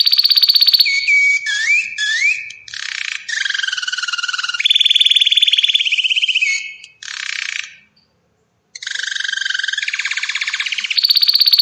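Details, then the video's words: Belgian canary singing varied phrases: rapid trills, rising slurred whistles, steady buzzy tours, a short silent gap, then more pulsing trills. "Canto do canário Belga."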